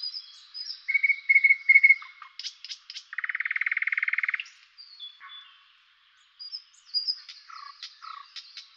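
Common nightingale song: clear whistled notes, then a fast throbbing rattle held about a second, a brief pause, and more high, sharp phrases.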